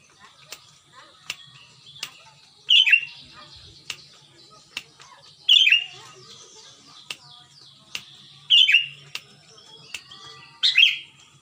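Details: Sooty-headed bulbul, recorded at Pengalengan, Ciruntah, Bandung, West Java, singing loudly as a lure to prompt other bulbuls to sing: short bubbling phrases about every two to three seconds, with sharp clicks and faint background chatter.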